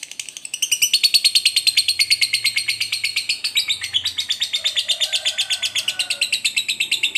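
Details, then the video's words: A fighter lovebird in strong singing form gives a long ngekek: a shrill, chattering trill of rapid harsh notes, about nine per second, running without a break, with no other sounds. "SUARA BURUNG LOVEBIRD NGETIK NGEKEK PANJANG"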